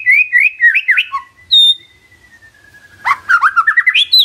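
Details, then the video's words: White-rumped shama song used as a lure to prompt silent birds to answer: clear whistled phrases that slide up and down, then a long thin falling whistle, and a quick run of rising notes at the end. "PANCINGAN SANTAI & EFEKTIF❗❗ murai DIAM langsung respon NYAUT❗❗"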